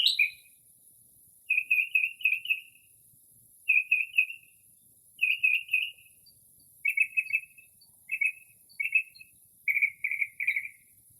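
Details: Northern mockingbird singing near midnight in early spring, imitating other birds: bursts of three or four quick, rolling chirped notes repeated in groups about every second, steady in pitch, in an otherwise still, quiet setting.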